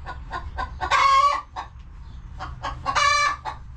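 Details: Chickens in a cozy coop give soft, rapid clucks broken by two loud, drawn-out nasal calls about two seconds apart.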